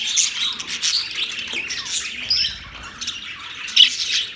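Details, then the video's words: Chirping birds recorded on October 3, 2023: busy high-pitched chatter with louder bursts at first, then thinner, quieter twitters and one sudden sharp squawk near the end. "Birds chirping sounds"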